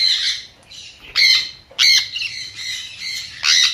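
A sun conure gives harsh, piercing squawks in bursts, loud shrieks every second or so with a raspy, high-pitched edge.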